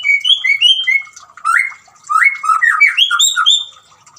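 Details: A white-rumped shama sings loud fluty whistles, some rising, some falling, in two rapid, varied phrases. Quieter high chirps fill the background.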